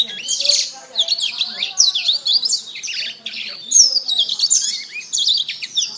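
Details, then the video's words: Canary singing for bird training: rapid repeated chirpy phrases of quick up-and-down notes, steady and busy throughout, with a faint low background hum. "SUARA BURUNG - Masteran Terbaik Kenari"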